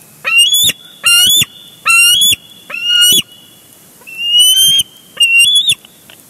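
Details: Bald eagles at a nest at Big Bear Lake on June 23, 2022, caught on a live nest camera as one eagle tackles its mate over a big fish; six high, piping whistled calls with stuttering edges, spaced about a second apart.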